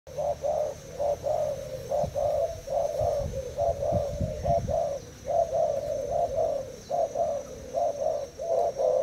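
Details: Spotted dove, Thai type, caged two days, in a cooing contest against a decoy bird: rapid low coos around 500–700 range, short burred notes repeated in tight runs about once a second, low rumbling background noise midway.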